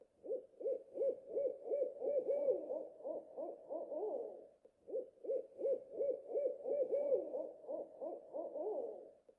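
An owl gives two bouts of rapid, mellow mid-pitched hoots, each run of about ten notes wavering and bending toward its end; nothing else is heard.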